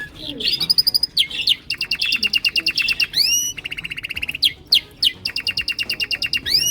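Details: Several male canaries singing their own special songs in chorus, out to impress: bright rolling trills of rapid high notes broken by short pauses, with rising swept whistles and changing trill speeds.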